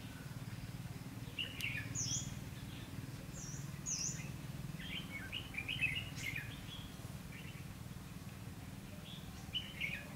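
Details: Red-whiskered bulbul fighting song at a trapping site with a caged decoy bird, 19 January 2016; bright chirped notes and brief thin high whistles scattered irregularly, set against a persistent low hum.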